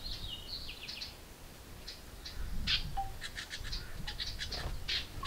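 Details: House wren nestlings in a birdbox begging loudly as a parent arrives with food; high chirps and harsh bursts come in quick irregular clusters, with a few softer lower notes beneath.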